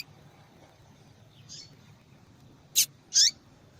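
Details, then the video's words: Female papa-capim calling to fire up males: a faint soft note, then two loud, sharp, high chips close together, the second sweeping downward, over low hiss. "Fêmea de Papa capim Chamando Muito para Esquentar papacapim"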